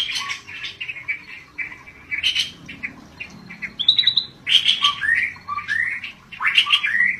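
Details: Dense, continuous chattering song from a scaly-breasted bulbul, called "gacor": mixed harsh squawks, buzzy notes and quick upward-sweeping whistles packed closely together, with little pause throughout.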